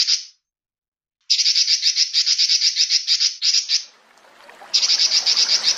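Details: Male Pekin robin on a master recording for training songbirds: rapid buzzy rattles, with a soft hiss of background noise between the second and third bursts.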